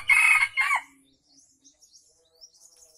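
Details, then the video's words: Wild junglefowl from Aceh, a crow used for luring: a brief raspy burst and a shorter dropping tail note, followed by faint scattered chirps in the background. "Ayam Hutan Aceh # Pikat F 1"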